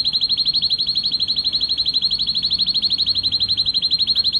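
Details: Excited male canary singing to stimulate the female to mate. Steady, very regular high trill of rapid repeated notes, unbroken and even in pitch throughout.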